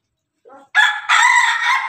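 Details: Crowing rooster, an Ayam Ketawa laughing-chicken cross with Pelung and Bangkok blood. A soft low note leads into a loud, bright crow that breaks briefly and then carries on steadily until the clip cuts off.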